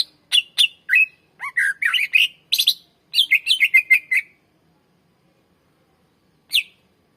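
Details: Greater green leafbird song meant for luring and training other birds: varied whistled notes, rising and falling slurs and buzzy chatter for about four seconds, silence, then one lone falling whistle.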